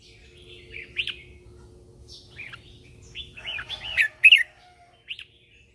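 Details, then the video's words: Decoy red-whiskered bulbul giving morning song meant to draw in other birds and spur them to sing: short whistled phrases, then a rapid run of bright, rising and falling notes, then one final note. "Luyện giọng cho chào mào hót sáng căng lửa kích chim mộc hót siêu hay, Chào mào mồi hót gọi bổi"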